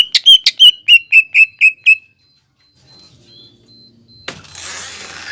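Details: Greater green leafbird (cucak ijo bahan) lure recording to prompt singing: eight rapid, evenly spaced whistled notes, each sliding downward, then quiet with a faint high tone, ending in a burst of broadband noise.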